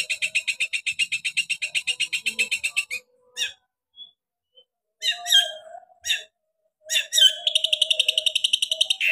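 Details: Long-tailed shrike singing in its sharp 'shot' variation style: a fast harsh chatter, then a pause broken by isolated squawky notes, before a final burst of quick scratchy phrases.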